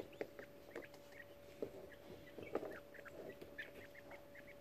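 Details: Young quail 18 days old in a brooder box, chittering as they huddle and climb over each other. Brief high chirps come in loose clusters, mixed with soft taps and scratches of shuffling, over a constant hum.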